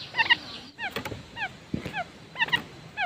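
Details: Quail lure calls: paired sharp chirps, then single falling slurred notes at a quick pace. A few clicks and taps sound in between.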